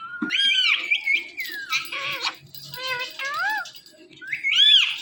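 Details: Pet ringneck parrot indoors playing with a phone, a bird that mimics meowing: rising and falling arched squawks and chattering notes, ending in a loud, drawn-out screech.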